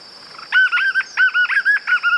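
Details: Song of the white-eared puffbird, clean and unprocessed: about eight clipped, arched notes delivered in quick pairs and triplets, level in pitch and strongly repeated, backed by a continuous shrill insect tone.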